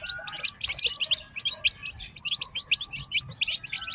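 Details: A farm batch of ten newly hatched chickens cheeping in a steady chorus of high, short downward-sliding peeps, several chicks overlapping, in quiet surroundings.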